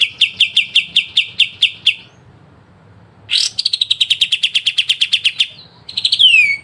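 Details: Pied triller singing its crisp 'besetan' phrases as training material for songbirds: a quick chipping run, a pause, a harsh burst into a longer rapid trill, ending in falling whistled slurs.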